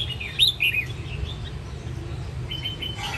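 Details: A captive Red-whiskered bulbul from the Sông Kon area, Quảng Nam, Vietnam, in a home fighting arena, gives short, bright whistled phrases with quick warbling notes, then a brief chattering burst near the end, over a low background hum.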